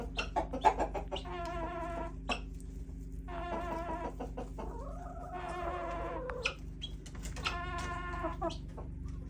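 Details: Backyard chickens giving weird calls: four drawn-out, nasal, harmonic-rich vocalizations about a second long, separated by short clucks and clicks, over a steady low mechanical hum.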